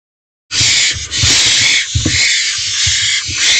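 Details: Barn owl owlet in nest box before dawn, 4:33 am on 12 May 2023, grabbing and swallowing a mouse delivered by its mother: loud, continuous harsh hissing screech that fills the upper range, with brief dips and scuffling thumps.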